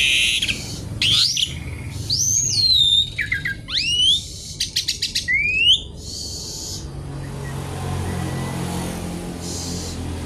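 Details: Javan pied starling in full, lively song packed with varied phrases, noisy as if seeking a rival: sweeping whistled notes rising and falling, a quick run of sharp clicks, and harsh raspy bursts, then quieter background hum.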